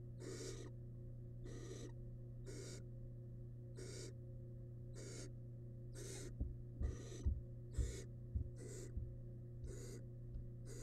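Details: Wild barn owl nestling in a nest box eating rabbit remains gives a long run of about eleven breathy, rasping hisses at an even rhythm. Light taps join in the second half, over a low steady hum.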